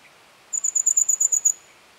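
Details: A red fody calls: a second-long burst of about nine very high, thin, insect-like ticks, evenly spaced at roughly ten per second, over a quiet background.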